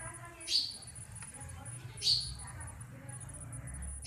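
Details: Sparrows calling in a natural outdoor setting: two short, sharp, high chirps about one and a half seconds apart over a low background hum.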